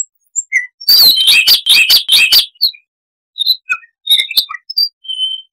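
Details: Siberian rubythroat song: a scattered note or two, then a rapid run of about seven loud, buzzy chirps, followed by softer isolated whistles and trills.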